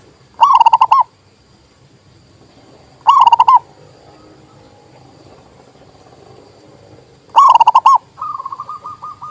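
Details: Zebra dove song, used to prompt reluctant doves to sing and to lure birds: three loud, bubbly coo phrases of rapid pulsed notes, about half a second each and spaced by a few seconds, then a softer run of repeated coos.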